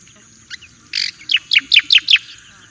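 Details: Javan white-eye singing as a master training song: a short harsh buzz, then five evenly spaced, loud, high chirps sweeping downward in quick succession.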